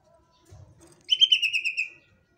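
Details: Energetic 'tembakan' burst from a Sumatran leafbird of Sumatra: a fast string of bright, warbling whistled notes lasting under a second, preceded by faint low murmuring.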